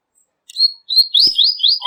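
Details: Short phrase of a Double-collared Seedeater, or coleiro, whose song serves to talk with other coleiros. A thin whistle opens, then a quick series of bright upslurred notes repeats about four times.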